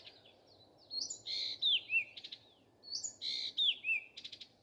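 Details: Nightingale singing in the morning: two rich phrases about two seconds apart, each mixing buzzy notes, bright downward-slurred whistles and a rapid dry rattle, with a faint low hum underneath.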